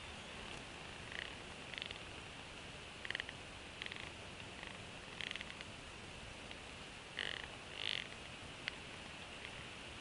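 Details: At a northeast Florida Bald eagle nest, an adult female shares a freshly caught fish with two young eaglets. Several brief clusters of high, rapid chittering notes are scattered across the recording, with a soft, rustling hiss throughout.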